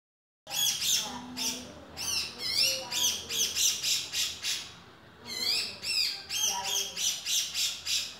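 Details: Male grey-cheeked bulbul giving a run of harsh, buzzy, ringing notes in two bursts, each note rising then falling, repeated roughly twice a second with a short pause midway; faint lower whistled tones beneath.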